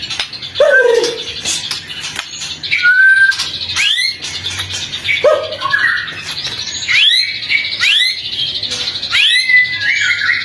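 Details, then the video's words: White-rumped shama song for prompting other shamas to sing mornings and afternoons; short phrases of upward-swept whistles repeated about every two seconds, with a low slurred note opening some phrases. "Pancingan murai batu untuk pagi dan sore hari"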